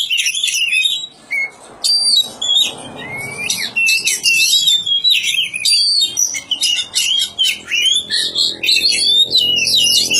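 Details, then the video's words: Village-kept Oriental magpie-robin (kacer) singing loud, fast phrases of clear whistles, downslurred notes and scratchy chatter, with a faint low background hum. "kicau burung kacer"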